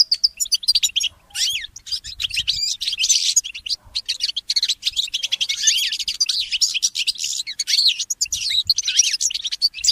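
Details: Goldfinch mule hybrid singing in the early morning: a continuous, high, fast warble of chirps, rising and falling slurred whistles and trills with hardly a pause.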